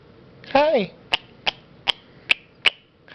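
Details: Female pet sun conure indoors: one drawn-out wavering mimicked "hi", then five sharp clicking kiss sounds spaced about every half second.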